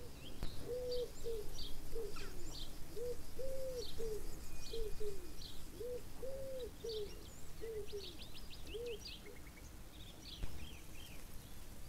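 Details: Chukar partridge repeating a long series of about a dozen low, rounded, hoarse notes in an uneven rhythm, with other small birds chirping and trilling higher up.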